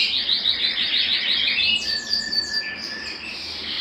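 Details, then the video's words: Belgian canary singing to stimulate males and bring females into breeding condition: rapid repeated chirped trills, then a long thin whistle and scattered bright notes. "Canto Para Esquentar Canário Belga e Foguear as Fêmeas"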